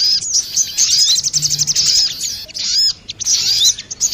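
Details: A female and male crested jay answer each other in a lure recording: a rapid string of sharp, high chirps and thin sweeping whistles, a short pause, then another chattering burst.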